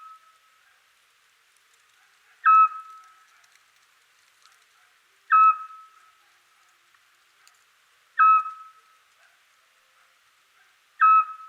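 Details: Eurasian scops owl advertising its territory and seeking mates on a quiet spring night in Europe, recorded with Sony PCM A10 and SOClip: four short, clear whistled notes, each at a steady pitch, repeated about every three seconds in a quiet setting.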